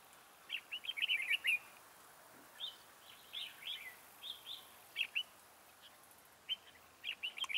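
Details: Red-whiskered bulbul decoy singing beside a trap. A lively run of warbled notes is followed by short chirped phrases at irregular intervals throughout.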